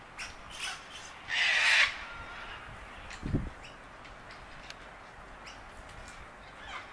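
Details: A sulphur-crested cockatoo at Bundanoon station, Australia, in June: one loud, harsh, raspy screech about half a second long. Fainter squawks come before it and a dull low thump after.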